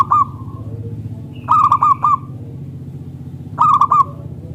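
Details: Local zebra dove used as a lure for other zebra doves; short clusters of loud ringing coos separated by pauses, about three bursts, over low background hum.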